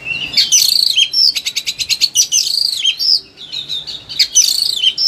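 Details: Caged Oriental magpie-robin singing in a highly agitated state, used as a master recording to prompt lazy birds to sing: loud varied whistles and sweeping notes with a rapid buzzy trill in the middle, all high-pitched.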